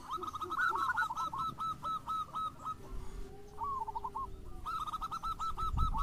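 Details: Zebra dove singing as a lure for other local or crossbred doves: runs of fast, repeated coo notes against a noisy, hissy background, with a short gap and a quieter rolling phrase before the series resumes.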